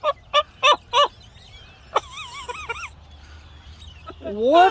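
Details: Pet parrot calling out toward birds outside while a person speaks to it: four loud harsh squawks in quick succession, then wavering warbled whistles, a pause and a rising, slurred screech at the end.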